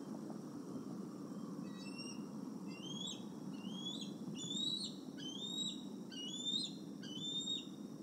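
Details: Eagles at Decorah on the evening of July 30, 2020, during fishing lessons as the parents fly over the retention pond and carry a fish back to the nest: high, thin, rising piping chirps, starting sparse, then repeating roughly once a second over steady low rumble.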